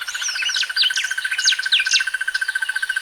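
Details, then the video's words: Crested barbet (Trachyphonus vaillantii) of eastern southern Africa gives a steady, rapid mid-pitched rattling trill like a purr throughout, while another bird adds sharp, high twittering chirps over the top. "The sounds of Crested barbets"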